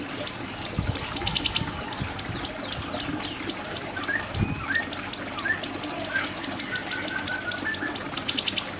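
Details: Siri-siri singing as a training recording: a steady stream of thin, very high descending ticks, about four per second, with quick rattling bursts and a few soft lower slurred notes, plus faint low knocks.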